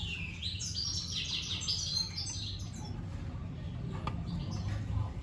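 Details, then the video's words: Red siskin singing at length: a bright, rapid twittering warble of high chirps and short trills fills the first two seconds, then fades to scattered faint notes over a constant low hum. "Pintassilgo da venezuela cantando muito - Suara Burung Red siskin"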